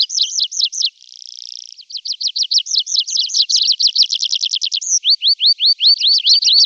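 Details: Tree pipit song in summer: rapid repeated chirps, a buzzy trill, then accelerating rattling phrases and finally a string of clear upslurred whistles, loud and clean.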